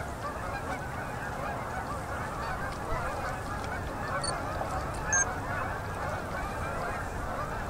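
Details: Fall Canada goose flocks landing on a Manitoba, Canada river at sunset in October 2018. Steady massed honking from many birds, with a couple of brief high chirps around the middle.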